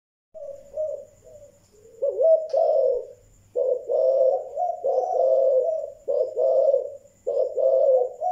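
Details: Spotted dove of the Malaysian type in the thúc gù cooing style: low, hoarse coos running almost continuously in rough two-part phrases, with a faint steady high whine behind.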